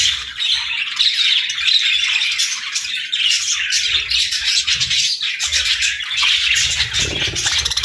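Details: Budgerigars chatter through morning feeding time in a busy, scratchy warble of chirps and squeaks, several birds calling over one another with light low knocks.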